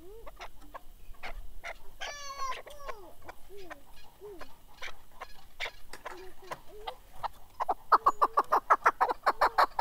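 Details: Male chukar partridge (keklik) starting with soft, scattered clucks and slurred, wavering notes, then breaking into a loud, rapid run of harsh chuck notes in the last two seconds.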